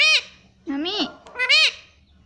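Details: Talking pet parrot repeating "mummy" in three separate harmonic utterances, the middle one starting low and bending upward, the outer ones higher and steadier, with short pauses between.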